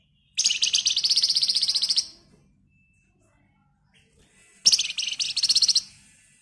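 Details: Agitated flamboyan bird delivering tightly packed, shrill song meant to draw other birds into singing; a long burst of fast, even, buzzy notes for over a second and a half, then a pause and a shorter, similar burst.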